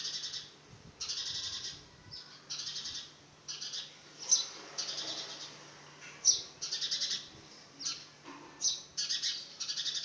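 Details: A young house sparrow trying to make its first flight gives harsh, raspy chirps, repeated roughly twice a second in short bursts, over a faint steady electrical hum.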